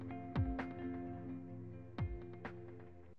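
Instrumental music with sustained low tones and two sharp struck notes, no animal voices.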